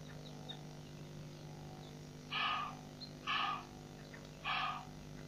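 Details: Helmeted guineafowl recorded at Nkorho Pan on 15 June 2007: three harsh, grating, broadband bursts, each about a third of a second, spaced roughly a second apart, over faint chirps of other birds and a steady low hum.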